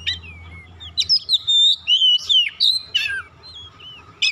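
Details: Varied white-rumped shama song used to prompt other birds into singing, a dense run of clear whistles, swooping slurs and buzzy chattering notes packed tightly together, ending in a few softer downslurred whistles and a final sharp note.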